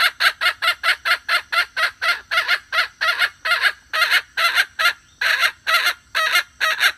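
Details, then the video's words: Hen calling as a trapping lure. Long, steady series of loud, harsh, nasal notes repeated a little over twice per second, with no other sounds. "เสืยงไก่แม่ร้องต่อเข้าดีมากsuab poj qaib seev zoo cuab heev"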